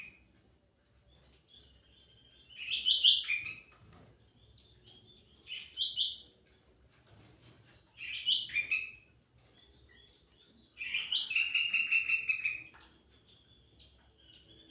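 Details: Sooty-headed bulbul in full song for luring birds: loud bubbling phrases roughly every few seconds, separated by thin high chips, the last phrase ending in a rapid stuttering run.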